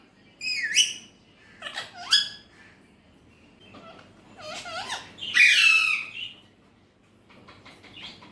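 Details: Pet Alexandrine parakeet said to speak Urdu/Hindi: scattered short squeaky notes with rising and falling bends, then a longer harsh chattering phrase near the middle, and faint trailing chirps.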